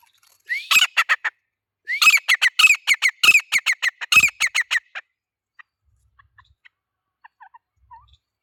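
A grey francolin gives loud, shrill, harsh notes in rapid runs, a short burst then a longer series, followed by a few faint chirps.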